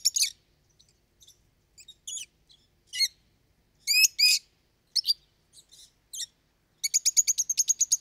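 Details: Lovebird parrots calling loudly: varied high squeaks and rising-falling harmonic squawks, ending in a rapid, evenly repeated series of bright chirps.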